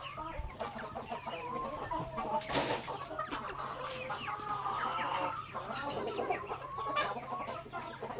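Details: Backyard native chickens enjoying a grain meal; continuous low clucking and trilled purrs from the flock, a burst of rustling noise early on, and scattered pecking clicks.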